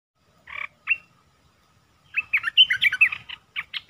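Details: Red-eyed bulbul recorded 10 August 2021 singing: two short, separate chirped notes, a pause of over a second, then a quick, bubbly run of clear, warbled notes that jump up and down, ending in spaced chirps.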